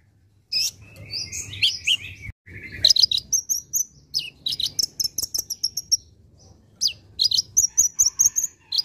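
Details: Masteran recording of a caged olive-backed sunbird (konin) singing energetically: bursts of high scratchy twitters and buzzy trills, a pause, then runs of quick sharp repeated chips with thin whistled notes.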